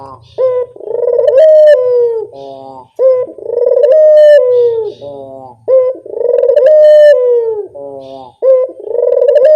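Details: Repeated lure calls of a spotted dove: long buzzy, vibrating coos about every three seconds, each ending in a short falling tail note, with a faint low hum beneath.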